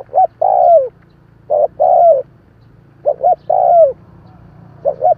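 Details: Spotted dove cooing to provoke wild doves: each phrase gives two quick low notes and then a long, falling, throaty coo. About three phrases arrive in quick succession over a faint low hum.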